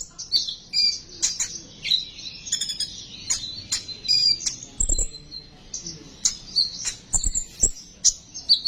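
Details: Sunbird song played as a lure to stimulate other sunbirds to sing: dense, rapid high-pitched chirps and thin twittering phrases run almost without a break, with sharp clicks mixed in.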